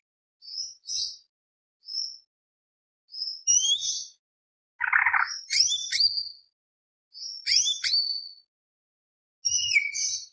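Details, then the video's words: Greater green leafbird song in a rapid, full style: high whistled phrases and sharp chattering notes come in short bursts separated by silent gaps, with one harsher, lower burst in the middle. "CUCAK IJO GACOR FULL ISIAN ~ Tembak Beset Roll Panjang"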